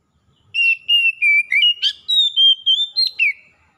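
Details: Wild and domestic Oriental magpie-robins singing back and forth in lively gacor style: an unbroken run of about ten bright whistled notes stepping up and down in pitch, ending with a rougher buzzy note.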